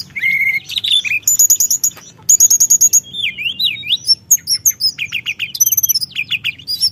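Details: Loud rolling song of a Sunda whistling thrush, meant to provoke rival birds: whistled slurs, two long rapid rattles, zigzag whistles, and a fast chattering finish.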